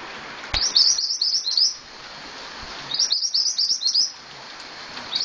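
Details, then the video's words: Scarlet-headed flowerpecker singing actively (gacor): a sharp click, then two rapid runs of thin, high twittering chirps, each about a second long, with a short note at the end. "Burung Mantenan Gacor"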